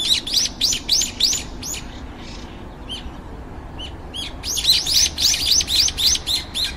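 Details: About five brown-eared bulbuls in a garden, lively and vocal while waiting to feed, captured on a compact camera: dense rapid series of high arched chirps, a short lull with isolated notes, then another fast run.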